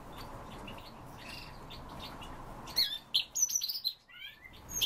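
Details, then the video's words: Siberian rubythroat song: a late burst of varied high whistled and scratchy notes following nearly three seconds of steady low background noise. "Luscinia calliope - СОЛОВЕЙ КРАСНОШЕЙКА"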